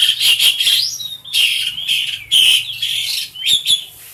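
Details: Tame pet black-collared starling singing as a model for other birds to learn from: a dense, loud run of scratchy, buzzy phrases and short whistles, almost continuous with brief pauses, and a faint low hum beneath.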